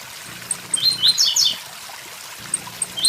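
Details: Blue-black grassquit song over the sound of a waterfall: short buzzy high phrases with quick rising-falling notes, heard twice, with higher faint ticks and steady rushing water beneath.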